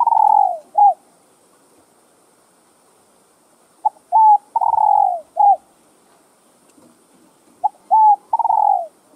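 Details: A spotted dove gives three soft, mellow cooing phrases, a brief note then longer downslurred coos, about every four seconds against a quiet background; the calls are used to stimulate other doves to coo.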